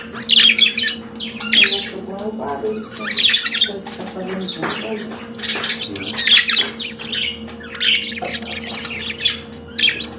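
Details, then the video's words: Pet budgerigar singing a long, chattering warble of squeaky high notes, clicks and squawks in bursts, with faint lower sounds and a steady indoor hum. "Periquito Australiano de Estimação Cantando Som de Pássaros de Periquitos Naturais"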